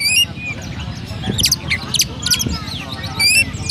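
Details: Oriental magpie-robin in captivity at Pemalang, Central Java, Indonesia, with 'rasa gereja' sparrow-like song: high sharp chirps and short slurred notes in spaced bursts, plus a couple of low thumps and steady background noise.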